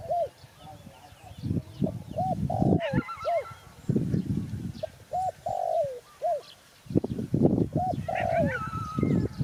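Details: Spotted dove cooing: short arched coos and a longer drawn-out note with a falling tail, repeated in phrases, over heavy low rumbling noise bursts, with thin higher chirps from another bird.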